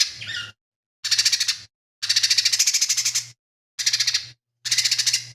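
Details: Singing lesser green leafbird whose song carries mimicry of fighting tree sparrows, kingfisher and cililin. A brief scratchy warble leads into repeated bursts of loud, fast, buzzing rattles, each about half a second long.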